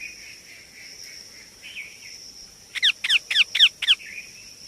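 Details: Baby Indian ringneck parakeet: soft, wavering calls, then a burst of five sharp, high, down-slurred chirps in quick succession, with a steady high-pitched whine in the background.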